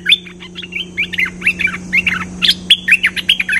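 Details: Cream-vented bulbul singing as a lure call, a brisk series of bubbly, slurred whistles and chips in uneven groups, loud and close, over a low constant background hum.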